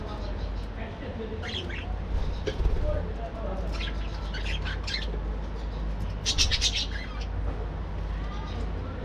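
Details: Budgerigars in an aviary breeding colony during morning activity; scattered harsh squawks and short chirp bursts come in loose clusters over a strong steady low hum.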